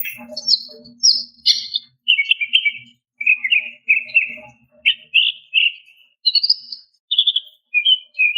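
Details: Female greater green leafbird calling to a male: a lively run of bright chirps and short whistled notes, some falling, in quick bursts about every half second, with a faint low hum beneath.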